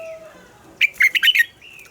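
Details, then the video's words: Morning double-note song of a red-whiskered bulbul in the mature wild style, used to train other bulbuls: one quick burst of four or five bright, slurred whistled notes after a quiet start, trailing into a soft whistle. "Luyện giọng cho chào mào hót sáng - Hót hay nhanh lửa, chào mào hót âm kép già rừng hay tuyệt!"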